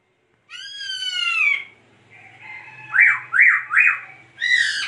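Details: Laughingthrush singing a long, harmonic whistle that curves downward, followed by three sharp, steeply rising and falling notes and a final loud phrase; faint low hum in the background.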